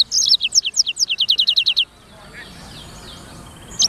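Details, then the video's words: Song of a Black-throated canary (sanger): a quick series of high, sharply descending notes delivered in a steady trill for nearly two seconds, then near quiet with faint distant chirps and one last high note. "BURUNG FINCH EDEL SANGER / BLACKTHROAT Suara Gacor"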